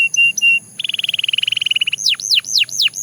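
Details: Belgian canary singing three flat, even whistled notes, then a quick rolling trill that drifts slightly lower, ending with four loud arching whistles that rise and then fall steeply.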